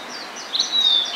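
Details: Blue-and-white flycatcher, a summer visitor newly arrived in spring at Hakone, singing: a short clear whistled phrase held high and level, with a brief sharp lead-in. Faint background hiss.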